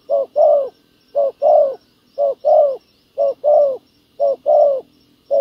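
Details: Soft hollow cooing of a spotted dove during ground decoy trapping of wild doves: regular short-then-long coo pairs, about one phrase per second, five phrases in a row.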